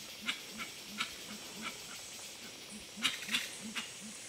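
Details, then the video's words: Gray-winged trumpeters at Tiputini Biodiversity Station in the Ecuadorian Amazon: a run of deep, soft hooting notes, each briefly rising then falling, repeated about three times a second, with sharp clicks and taps overhead. "Gray-winged Trumpeters (Psophia crepitans) - Tiputini Biodiversity Station"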